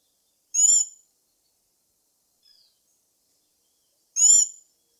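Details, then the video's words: Black-backed tanager (Stilpnia peruviana) gives two brief, high, squeaky buzzed notes about three and a half seconds apart, with a faint thin chip between them. "Canto da Saíra Sapucaia Stilpnia Peruviana"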